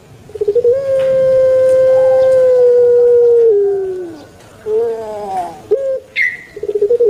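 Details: Puter pelung turtle dove kept in Java, Indonesia: a rapid rolling lead-in, then a long steady coo of about three seconds dropping at its close, followed by shorter wavering coos and a high chirp.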